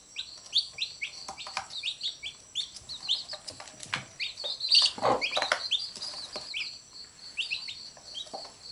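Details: Mother hen among her chicks, which keep biting her while she picks them up; rapid high-pitched cheeping from several chicks, fast and uneven, with a brief scuffling burst near the middle.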